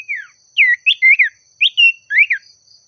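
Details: Oriental magpie-robin in full, varied song, called out to challenge a rival: a falling opening note, then clusters of bright slurred whistles that rise and fall, delivered in three quick bursts over a steady faint hum.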